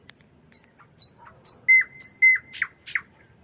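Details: Nightingale song at night: sharp high clicking notes spaced about half a second apart, then two long pure level whistles each ending in a dropping slur, finishing with further emphatic high notes.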